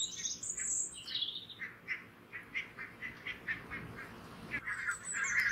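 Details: A flock of grazing barnacle geese on full alert as two red foxes draw near: clipped barking notes repeated roughly every third of a second, with high whistles at the start and a louder cluster of calls at the end.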